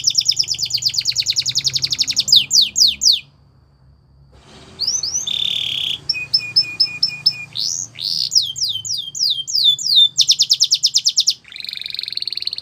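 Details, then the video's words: Song of Russian and Belgian canaries for training young canaries: a fast high trill and falling sweeps, a pause with faint low hum, then varied tours of buzzes, clipped notes, slurs and rapid rattles. "Canary Training Song"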